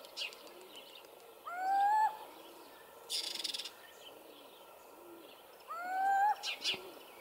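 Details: Little owl in Hortobágy National Park, Hungary, recorded in 2015, giving two drawn-out, slightly rising mewing hoots about four seconds apart; faint chirps of small birds and a short burst of rustling noise between the calls.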